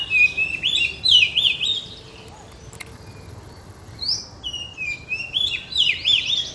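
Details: Blorok-type oriental magpie-robin singing strongly with tail pushed: quick high warbled phrases, a short gap, then a sliding whistle leading into more lively chattering notes.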